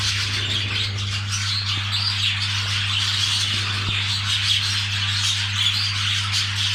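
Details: Budgerigars heard during mating, a continuous flock chatter of rapid high twitters, squeaks and short whistles, with a couple of faint clicks and an ongoing low hum.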